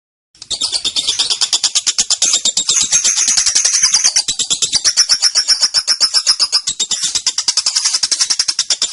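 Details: Young female lovebird under five months old, in the long ngekek style with 'ngetik konslet' ticking, used as a tutor and lure recording for other birds: after a brief silence, a fast, unbroken high chattering trill of rapid pulses runs steadily for about nine seconds.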